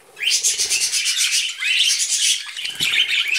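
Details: Pet budgerigars while eating vegetables: continuous dense high warbling chatter, buzzy and rapid, almost unbroken for three seconds with a brief dip near the end.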